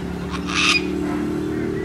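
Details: Sulphur-crested Cockatoos, white cockatoos gathering on a balcony from early morning on the Whitsunday coast, Queensland, Australia; a single harsh, raspy screech lasting about a quarter second over a steady low background hum.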